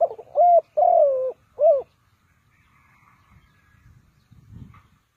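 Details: Ninh Thuận spotted dove used as a trap decoy. Three deep coos, the second long and sliding downward, are followed by near silence with soft handling noises.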